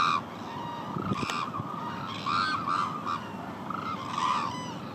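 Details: Hooded cranes at Izumi, Japan, uttering a chorus of arched honking calls from many birds, notes overlapping every half second or so, with a brief thump and steady crowd noise.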